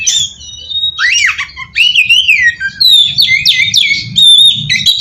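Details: Oriental magpie-robin singing as a lure: a long steady whistle, a swooping squawk, a slurred rising-falling whistle, then a dense run of clear notes and harsh chirps.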